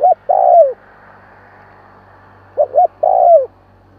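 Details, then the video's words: Coo of a spotted dove, played to excite freshly caught doves: two phrases of short double notes leading into a longer falling coo, over steady low hum. "Tiếng chim cu kích bổi"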